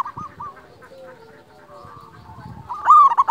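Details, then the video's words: Zebra dove, a local wild bird, cooing for a lure and training recording. Soft trilled coos open the clip, a quiet stretch follows, then a loud rolling, warbled coo phrase ends it. "Masteran pancingan perkutut lokal alam suara istimewa besar"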